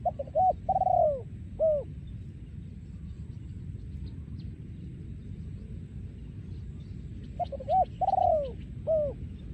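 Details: Spotted dove breeding male singing 'yon ku ang' style. Two phrases separated by about five seconds of quiet rumble, each made of brief coos, a long sinking coo and a closing short coo.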